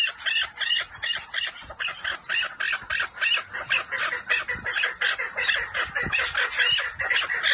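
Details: Chukar partridge giving 'lal' style calls: a steady, rapid series of loud, raspy chuk notes, about three per second, with an even pulsing rhythm throughout.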